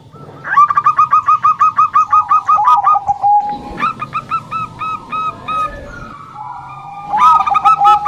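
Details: Zebra dove, a Bangkok-type female whose song lures males: a rapid series of about a dozen clipped coos slides into a lower trill, followed by spaced double notes and a closing burst.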